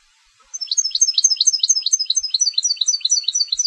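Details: Steady stream of rhythmic, high two-part twittering notes from a competition goldfinch, each repeated about twice a second in a lively, even run.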